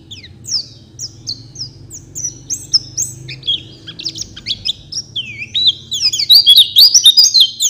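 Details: Oriental white-eye song used as a master recording for training songbirds: high, quick chirps and warbled twitters over a steady low hum, growing denser and louder toward the end.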